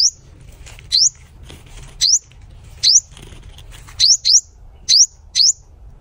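A sunbird gives thin, high, sharply rising notes, singly or in quick pairs, roughly every half to one second, over a faint low hum.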